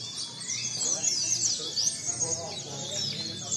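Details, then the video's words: Contest white-eyes singing in a mixed singing contest, heard as bright, high, squeaky twittering phrases packed close together. Faint voices sit in the background. "lomba pleci campuran"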